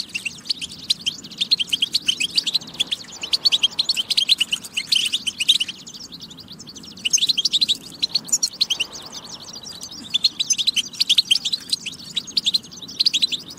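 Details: European goldfinch song used to rouse goldfinches to sing: long chattering phrases of rapid, bright chirps and trills, with one quieter stretch near the middle, over a steady low hum.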